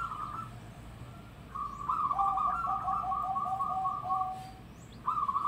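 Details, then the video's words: Local zebra dove calling loudly: a brief rolling coo, a pause, then a long run of quick staccato coos joined by a lower parallel line, ending with another sharp burst; faint background hum. "Perkutut Lokal Suara Lantang"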